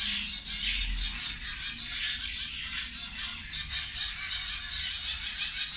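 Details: Zebra finches feeding at lunchtime, a dense, continuous chatter of many overlapping nasal, squeaky calls, busy and unbroken throughout with no pauses.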